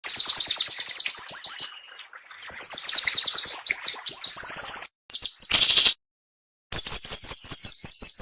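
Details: Cinnamon-bellied flowerpecker in a sharp, dense masteran tutoring song with short pauses: rapid runs of very high thin ticking notes, some slurred downward, broken by a brief harsh buzzy burst and two silent gaps.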